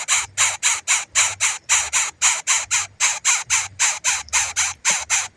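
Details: Hungry baby bird calling for its parent: harsh, raspy, broadband shrieks repeated steadily about three times a second, roughly eighteen calls in a row with no other clear sounds.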